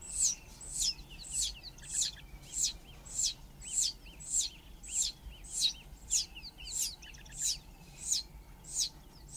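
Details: A Dideric cuckoo chick raised by Southern Grey-headed Sparrows begs with thin, high, wheezy squeaks about every half second, then is fed by an adult sparrow, against faint outdoor background noise.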